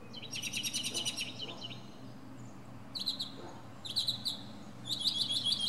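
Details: Northern mockingbird singing from the top of a pine tree, running through many different sounds: bursts of rapid, high, repeated chattering notes in several distinct phrases separated by short pauses, over a steady low background hum.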